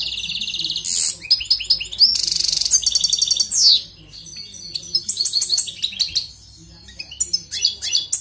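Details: A European goldfinch sings a fast, tinkling medley of high twitters, liquid trills and buzzy notes in a long song, with a low steady hum underneath.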